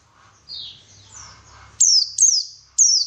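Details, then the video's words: A brief lure of white-eye song to prompt active singing: soft descending whistles, then three loud, very high chirps that drop steeply in pitch. "PANCINGAN BURUNG PLECI SUPAYA GACOR"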